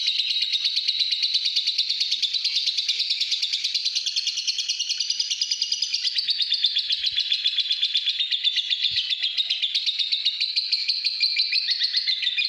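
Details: Lovebird, a pastel green fighter-type bird kept at home, singing a long continuous ngekek trill: rapid buzzy chattering pulses held without pause, wavering slightly in pitch throughout, clean with no other sounds.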